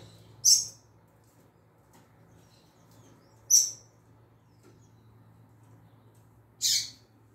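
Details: Female double-collared seedeater (coleiro tui tui) producing three spaced, high, sharp chip notes roughly three seconds apart over a faint low hum.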